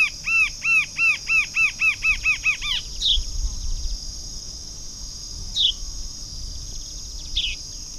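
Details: Rufous-capped antshrike recorded 10 January 2009: a run of about eleven nasal, arched notes quickening over three seconds, then a few sharp high chips, over a steady insect hiss.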